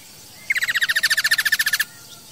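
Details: Masked laughingthrush, used for training caged birds, giving a quick even trill of about fifteen chirping notes over roughly a second and a half, with a faint hiss in the background.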